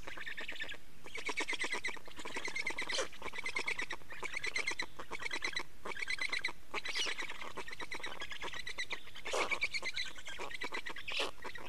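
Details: Black storks at their Estonian nest on 24 May 2019, 15:15, while adults change over and feed; a long sequence of rapid pulsed, wheezy rasps repeated in bursts about every second, with steady low hum behind.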